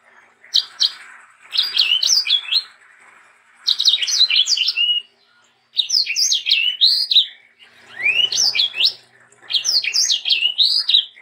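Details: Sanger bird singing energetically, used as a tutor song and to prompt young sangers to sing: bursts of rapid, high twittering and whistled notes lasting one to two seconds, separated by short pauses, over a faint background hiss.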